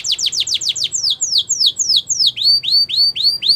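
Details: Canary training song: quick steep descending notes repeated about four per second, slowing into longer downslurred whistles, then a series of loud rising upswept notes, all high and clear over faint low background hum.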